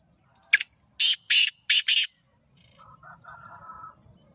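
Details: Black francolin, kala or Sindhi teetar: five loud, harsh, grating notes spaced in a quick irregular rhythm, followed by several much fainter, lower, rasping notes trailing off.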